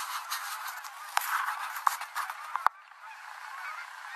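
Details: Canada geese landing on the Rogue River, Oregon, in evening gathering; dense honks and clicks of bicycle handling for the first three seconds, then quieter scattered honking afterwards.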